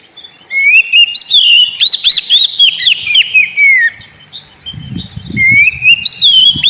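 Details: Kept white-rumped shama, offered as a lure to coax a sulking bird into song, pours out sweet rising whistles and fast trilled phrases, with low knocking noises partway through.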